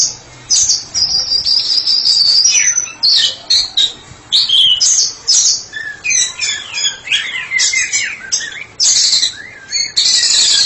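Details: Long ngeplong performance by a therapy-specialist White-rumped shama: a drawn-out high whistle, then bursts of chattering, rapid trills and descending whistled slurs, loud and varied.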